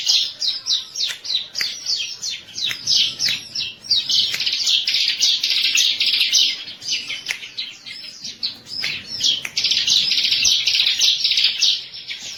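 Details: Bar-winged prinia (ciblek), trigger song: near-continuous high, rapid chirping in uneven rolling phrases with short gaps and faint clicks throughout.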